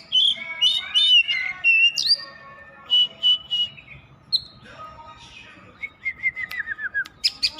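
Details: Varied whistling from an Oriental magpie-robin that keeps singing: mixed slurs and an upward sweep, a pause, then a descending series of evenly spaced short notes and quick chirps.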